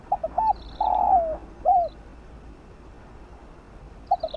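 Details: Fast 'giọng đồng' cooing of a spotted dove, played to rouse freshly caught birds and train decoys: short quick coos, a long level coo sliding down, then a curved closing note, with another phrase beginning; faint distant chirps.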